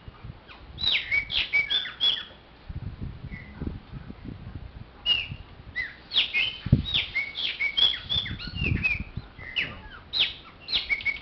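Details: A Chopi blackbird sings repeated bursts of sharp whistled and chirped notes, pausing between phrases. Low thumping noises are heard throughout.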